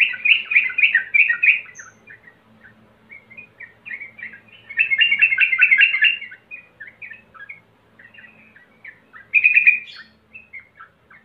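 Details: Sooty-headed bulbul lure song, used to get birds singing readily: bubbly, chattering phrases in three dense bursts near the start, middle and end, with scattered short slurred notes between them.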